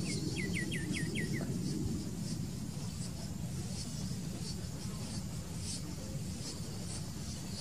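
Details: White-winged becard (Pachyramphus polychopterus) at Reserva Ecológica Costanera Sur, Argentina, gives a quick run of five or six soft, sweet whistled notes, then falls quiet under a steady low rumble of wind or distant traffic.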